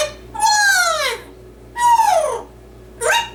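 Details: Indoor yellow-naped amazon parrot in a sung routine, mimicking human singing: three drawn-out tonal notes, the first two sliding downward, the last a short rising note, with a faint steady hum behind.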